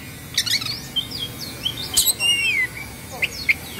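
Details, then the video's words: Oriental magpie-robin from Indonesia in an agitated display with fluffed feathers and spread tail, giving short whistled chirps, a sharp click and a long descending whistle over steady background hiss. "Suara Kacer Emosi/Kongslet"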